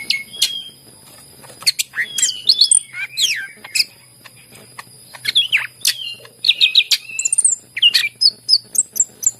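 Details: Greater green leafbird singing as a lure for hesitant leafbirds: sharp ticks, swooping slurred whistles and chattering phrases, ending with a rapid series of very high, thin repeated notes, over a steady faint high tone.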